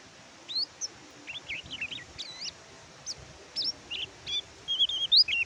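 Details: Oriental white-eye (kecial kuning), tutor song for silent caged birds: sparse thin, high chirps and short twittering notes, becoming more frequent toward the end, over a low background hiss.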